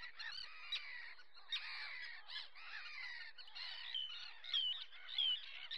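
Black-necked grebes give a steady stream of harsh, chattering calls, and toward the end short rising whistled notes repeat about once a second.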